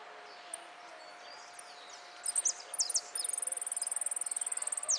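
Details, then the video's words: Saffron finch singing in the repique style at a song contest in Quilmes, placed first, 26 October 2013: sparse high thin notes, then a burst of sharp high chips and a fast, even, very high trill of rapid repeated notes over a steady low hum. "Amarillo de Repique"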